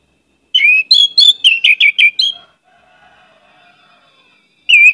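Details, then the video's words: Orange-headed thrush song of rich whistled notes in a fast varied burst lasting about two seconds, followed by a faint low hum and one more loud whistled note at the end. "pancinagan anis merah gcor banyak isian"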